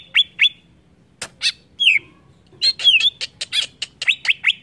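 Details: Greater green leafbird song for provoking other birds, scattered sharp whistles and harsh clicks, building into a quick string of high notes.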